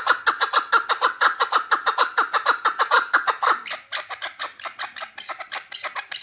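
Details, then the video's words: Chukar partridge, called keklik, recorded in Tajikistan in 2020, giving rapid repeated chuck notes that run together in an even, pulsing chatter; midway the notes turn louder and less regular, harsher and more strident toward the end. "Садои Наркабки Маст 2020. Голос Куропатка (Кеклик) в Таджикистане 2020.Keklik in Tajikistan"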